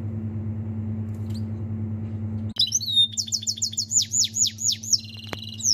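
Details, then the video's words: Canary singing in a goldfinch style: after a steady low hum, rapid high sweeping notes begin midway and repeat in quick, slurred series, some downward-swept and buzzy, over the continuing hum. "Canari chante chardonneret"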